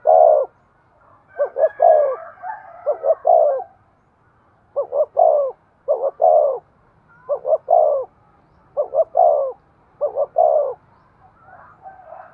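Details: Spotted dove giving vigorous 'thúc' coos for training a lure bird: about eight mellow, low phrases, each a clipped double note followed by a falling drawn-out coo, in a steady series.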